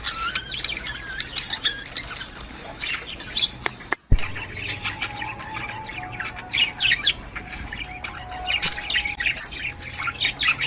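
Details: Budgerigar mating-encouragement sound aimed at the female: scattered sharp chirps and twittering squeaks with a brief gap partway, a thin steady tone running underneath, and a low hum.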